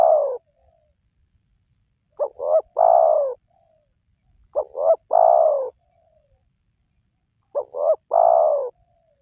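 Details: Spotted dove cooing played to provoke wild doves to call: steady phrases of two brief coos followed by one longer, fuller coo, spaced about every two and a half to three seconds, no other noise.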